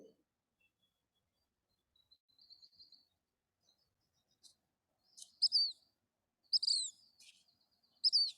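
A Black Phoebe gives high, sharp two-part notes, one rising and one burry and falling, repeated every second or so after a few faint chips.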